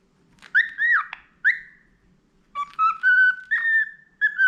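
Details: Clear whistling from a tame budgerigar praised as a skilled whistler: two arched slurred notes, then a phrase of steady tones climbing in steps, ending with a short upslur.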